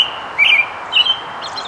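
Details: Whistled song of an American robin that was foraging and gathering nest material, two brief caroling phrases roughly half a second apart, the second slightly higher, with faint high notes trailing at the end over soft background noise.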